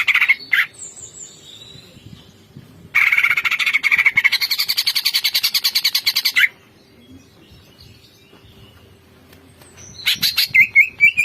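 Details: Greater green leafbird singing in its 'bongkar isian' style, unloading its repertoire: a short buzzy burst, then about three and a half seconds of rapid, harsh, rattling chatter pulsed many times a second, then a quiet gap and more buzzy notes with a steady low hum.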